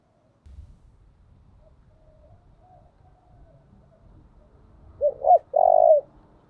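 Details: Spotted dove used as a calling decoy gives one phrase after several seconds of faint low rumbling: two quick short coos followed by a longer throbbing coo that falls at the end.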